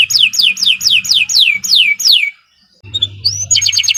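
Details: Kenari Nusantara canary with long, energetic song for tutoring contest birds: a series of seven sweeping descending whistles, a short pause, then a rising note and a rapid high trill over a low hum.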